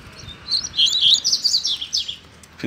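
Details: Free-living double-collared seedeater in a neighbourhood, described as agitated: a continuous rapid warble of high twittered and slurred whistled notes lasting about two seconds, close and clear above faint background hum.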